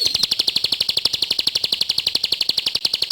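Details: Bar-winged prinia (ciblek) singing vigorously: an unbroken, steady stream of high, clipped notes repeated several times a second throughout, with no pauses.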